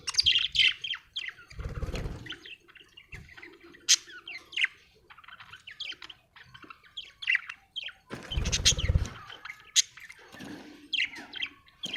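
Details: Budgerigar chirping: a busy, continuous warble of rapid squeaky chirps, clicks and buzzy notes with steep rising and falling sweeps, interrupted twice by louder harsh broadband squawks, around two and eight seconds.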